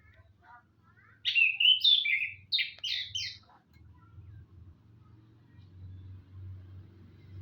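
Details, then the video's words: Orange-headed thrush singing in the morning: a rich burst of varied, fast warbled and whistled phrases lasting about two seconds, then quiet with low background hum. "kicau anis kembang di pagi hari"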